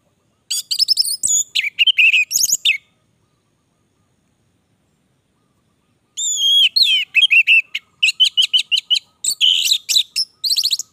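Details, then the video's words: Long, energetic gacor singing by an orange-headed thrush: rapid sequences of buzzy, warbled and whistled notes in two extended bouts, with a quiet gap between them. "Anis merah gacor durasi panjang"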